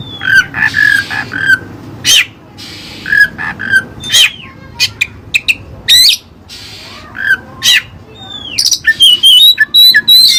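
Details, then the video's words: Oriental magpie-robin (kacer) with Cililin song material: brief buzzy and whistled phrases around mid-pitch, sharp isolated clicks, curving downslurred whistles, and a quick high warbled flurry at the end. "Burung Kacer Isian Cililin"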